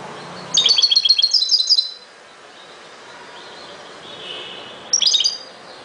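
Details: Goldfinch song in two bursts: a rapid, liquid, high-pitched twitter lasting over a second, a pause, then a shorter tinkling phrase.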